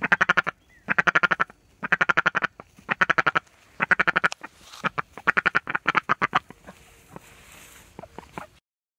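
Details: A female Indian Runner duck demanding dried worm treats quacks in loud, harsh bursts of rapid notes, about one burst each second, trailing off into softer, scattered quacks.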